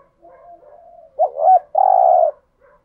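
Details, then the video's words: ['Spotted dove decoy cooing to attract wild doves: soft, faint low murmuring, then a short rising-falling coo and a long sustained coo at steady pitch.'] "Tiếng chim cu gáy kích bổi rất hiệu quả/ cu cườm thúc gù bài bản, cu cườm mồi gáy giọng hay"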